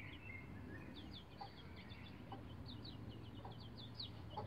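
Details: Bantam Rhode Island Red chicks about 11 days old, learning to use a chicken ladder; high, short downward-sliding peeps come in scattered bursts from several chicks over a steady low rumble, with a few soft taps.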